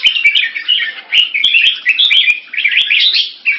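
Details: Caged red-whiskered bulbul in Singapore testing a rival with short keke calls and tail slashing, giving rapid liquid chattering phrases that run almost without break, with scattered sharp taps.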